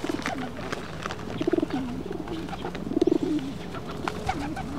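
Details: Pigeons struggling with each other while feeding on rice, very close to a stone seat; low throaty cooing bursts, around 1.5 and 3 seconds, over soft scuffling and pecking noises.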